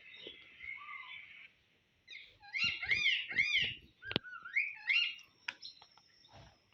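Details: Pet ring-necked parakeet talking, apparently saying "mamma pappa", in a high, squeaky, nasal voice: several quick two-syllable words, then a rising, wavering phrase, with a few sharp clicks between.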